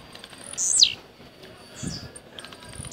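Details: Blue-black grassquit in a cage, from Jacarepaguá, Rio de Janeiro, Brazil, giving its rojão song: a loud, thin, buzzy downslurred note, then a weaker echoing slur, with faint high ticks between.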